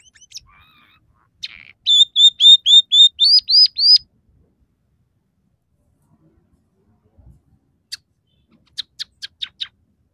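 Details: Scaly-breasted munia singing actively, its song said to hold three variations with fill-ins learned from house sparrow, red siskin and canary: a quick run of eight clear whistled notes, the last ones rising, then after silence a burst of sharp clicky chips.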